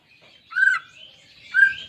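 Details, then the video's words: Greater green leafbird, a pet bird, sung as therapy to stir a silent caged bird into singing: two loud clear whistled notes about a second apart, with faint higher twittering between them. "Terapi Cucak Ijo Malas Bunyi"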